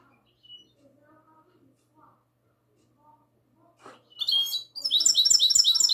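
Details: Night recording from 22 March 2020 of a goldfinch hybrid's classic song. Faint scattered soft notes give way to bright high twitters and then a fast, loud, ringing trill.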